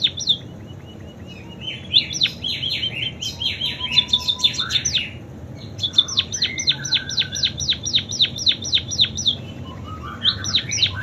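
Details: ['Munia song full of canary imitations. Varied warbled phrases lead into a rapid repeated series of sharp downslurred notes, with further twittering near the end.']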